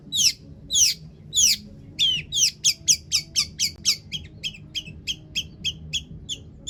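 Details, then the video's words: Long-tailed shrike full of mimicked song material, used to make other shrikes sing: three loud scratchy down-slurred notes, then a long steady series of short sharp chips, about two to three per second. "cendet gacor PANJANG BONGKAR ISIAN untuk PANCINGAN CENDET AGAR BUNYI bikin BURUNG PENTET GACOR"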